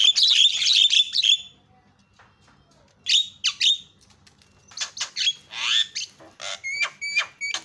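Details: Javan myna lure calling to make other mynas call: a harsh, chattering burst opens, then after a pause come scattered rasps, a drawn-out downslurred note and a series of thin whistled chips.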